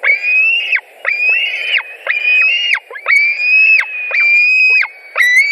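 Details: Nest of white-tailed eagles in Latvia, 16 July 2020, during a fish delivery: a steady chain of piercing, level whistled squeals, roughly one per second, every note cut off with a downward drop.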